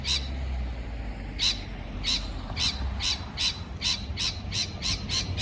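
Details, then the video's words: A parrot gives a steady series of rasping chirps, about two per second after a short quiet start, over a low rumbling background. "美丽的鹦鹉鸣叫beautiful parrot chirping sound call"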